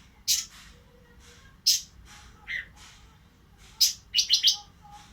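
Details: An Oriental magpie-robin in breeding condition gives spaced, piercing high chips and a lower whistled note, ending with a quick cluster of three sharp notes.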